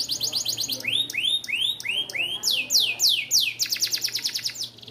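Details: Canary song meant for training young canaries, moving from a fast high trill through arching swoops to loud descending sweeps and ending in a quick rattling trill.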